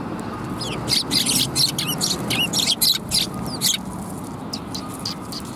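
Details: Group of sparrows at a Tenmangu shrine on 23 December 2021, giving a lively run of rapid, overlapping high chirps for about three seconds, then fainter scattered notes, with a low background rumble.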